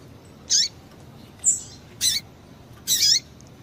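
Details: Female double-collared seedeater call for stimulating a male's song: four high, buzzy chip notes with downward-sliding ends, spaced roughly half a second to a second apart.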